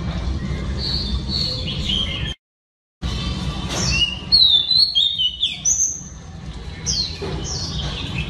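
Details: Female oriental magpie-robin singing to rouse males, with soft warbled notes, a brief silent gap, then loud clear whistles sweeping down and up, over steady low background noise.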